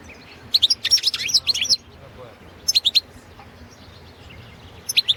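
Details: Balkan goldfinch, Carduelis carduelis balcanica, kept for a 2017 world song competition organised in Serbia; a rapid, jumbled twittering phrase of high liquid notes, followed by shorter clusters of three or four bright chirps.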